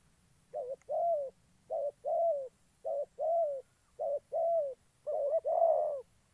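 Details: A spotted dove serving as a trapping decoy in Gia Lai, Vietnam, calls in rhythmic pairs of a clipped note followed by a fuller drawn-out coo, five pairs in quick succession, low and throaty, with a thin steady whine in the background.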